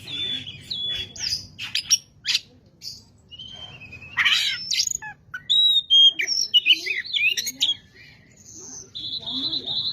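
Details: Oriental magpie-robin in full song, played to rouse another magpie-robin: a busy medley of whistles, chattering bursts and quick slurred notes. It ends in a long steady high whistle, with a low hum underneath.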